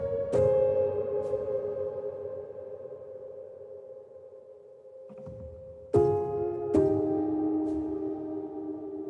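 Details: Soft keyboard music with sustained chords and a few sharp struck notes; no animal voice.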